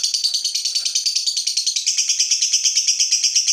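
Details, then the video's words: Fighter lovebird answering a rival with a ngekek, a buzzy pulsed chatter of quick, evenly spaced beats that steadies and brightens halfway through. "Lovebird FIGHTER terpancing Panas, nyaut Ngetik lanjut Ngekek Panjang"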